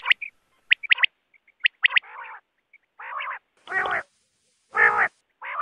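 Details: Wild quail calling, recorded in the context of net hunting. Sharp clipped notes in quick pairs come first, then longer raspy nasal bursts repeated about once a second.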